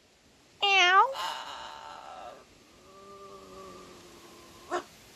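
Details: A pet blue macaw sitting on his new swing gives a loud, cat-like meow that rises and falls. He had been meowing like a cat, and here he imitates a cat while being called "kitty kitty". He also barks like a dog.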